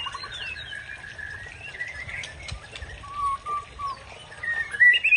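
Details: A Murai Aceh, or white-rumped shama, sings to rile a rival: a sustained warbling phrase, a short level trill, then louder sharp whistles toward the close.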